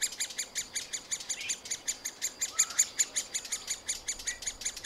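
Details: Middle spotted woodpecker nestlings in a tree-cavity nest being fed by parents keep up a high, harsh, buzzy chatter, about four to five raspy bursts a second, with a few sharper squeaks over a soft outdoor hiss.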